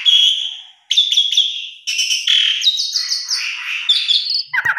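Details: Asian pied starling song used as a lure to set other starlings singing: a long steady whistle, a pause, then dense buzzy notes and quick rising whistled slurs running together.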